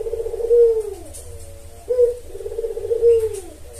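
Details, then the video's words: Lure calls of a spotted dove meant to attract males: mellow, low coos in a phrase, a long sagging coo, a brief pause, then two more hollow coos close together. "Pancingan Tekukur Memanggil Pejantan"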